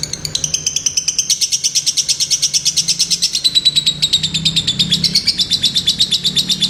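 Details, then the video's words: Lovebird song: a fast run of high pulsed notes that starts slightly higher and settles lower, repeated quickly and evenly throughout. "Love Bird gacor"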